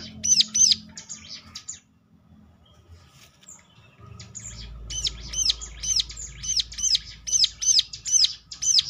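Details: Bar-winged prinia song, a lure to draw answers from other prinias: a short burst of high arched chirps, a quiet pause, then a lively string of rapid, sharp, ringing notes over a low background hum.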